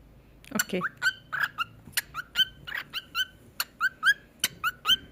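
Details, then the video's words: Cockatiel being taught to talk and sing: a quick series of short, bright chirps repeated a little over once a second, with a person's voice at the start. "تعليم طائر الكوكتيل الكلام والغناء"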